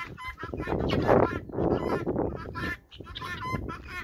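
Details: Guinea fowl flock on a farm following a hen: loud, grating, repeated calls, a burst of overlapping notes at the start and a clearer run of harsh cries near the end, over low rumble.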